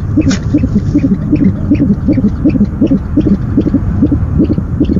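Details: Owl at its nest after dark on 17 February 2015, first food delivery of the night; paired short low notes repeat in fast, loosely regular bursts, with faint hum behind.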